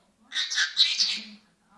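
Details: Senegal parrot talking, repeating phrases such as 'hands up', 'GG', 'kiss' and 'hello', here giving a raspy, about one-second burst of mimicked speech, harsh and high-pitched, over a faint low hum.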